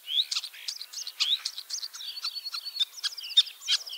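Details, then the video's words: A ringed common starling (Sturnus vulgaris) in Liepāja, Latvia, back for its third spring and arriving 25 March 2023, with an injured leg, sings a rapid, jumbled medley of whistles, clicks, rattling trills, metallic notes and a repeated buzzy trill. "MĀJAS STRAZDS /Sturnus vulgaris/"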